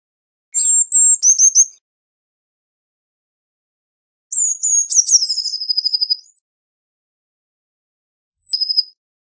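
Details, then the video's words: Eurasian blue tit singing: high thin phrases opening with one or two clear notes near the top of its range, then a fast descending trill of rapid pulses, three phrases separated by silence, the last brief. "Blue Tit Singing! Blue Tit Calling! Blue Tit Sound! - Herrerillo Común Canto - Cyanistes Caeruleus"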